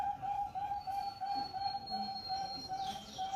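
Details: Caged Bangkok-strain zebra dove chick, a competition prospect, sounding a steady run of brief, clear coo notes repeated rapidly at an even pitch, with a thin high tone above and a brief chirp from another bird at the end.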